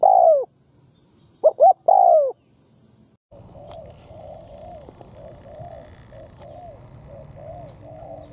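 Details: Spotted dove, a bổi bird, giving thổ-style coos mixed with cấn sấm. A few loud hollow coos open, then, after a pause, softer repeated coos continue over a steady hum and a high whine.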